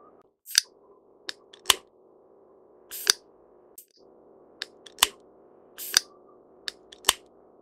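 Sharp, high 'kik' notes from a great spotted woodpecker, about ten at irregular intervals of roughly a second, over a steady low hum.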